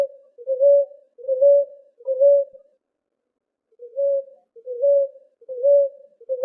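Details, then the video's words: Ruddy ground dove giving soft, low, hollow coos, each about half a second long, repeated steadily about once a second with a brief pause midway; song used to attract and call the species. "CANTO PARA ATRAIR E CHAMAR ROLINHA ROXÁ - SONS E assobiando"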